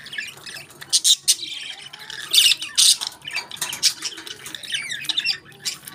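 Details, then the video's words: Budgerigars enjoying their favourite food: a busy mix of scratchy squawks, chirps and warbling chatter from pet birds, with loud harsh bursts standing out among softer twittering. "Budgies Enjoy Their Favorite Food"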